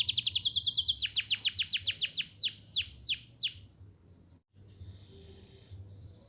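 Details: Canary; song; prompting young canaries to learn to sing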